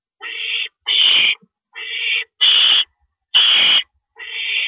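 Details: Night nest scene, April 6, 2012 at 1:11 AM, male owl delivering a rabbit; six hoarse, hissing screeches, softer thinner calls alternating with louder broader ones.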